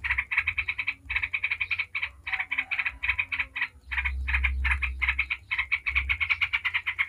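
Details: Yellow-vented bulbul sings 'ngebren', the fast chattering style meant to provoke other bulbuls into song. Dense runs of scratchy notes with short gaps, steady and loud throughout, over a low background hum.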